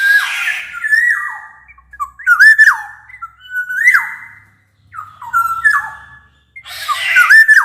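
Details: Loud, shrill, bamboo-flute-like song of a black-naped oriole, used to lure silent orioles to sing; a series of liquid whistles that each rise then drop sharply, with harsher notes at the start and end.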